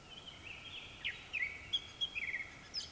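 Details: Japanese thrush singing at dusk: a rapid run of clear, fluting whistled notes that slide up and down, with short sharp chips between them. A steady faint hiss sits in the background.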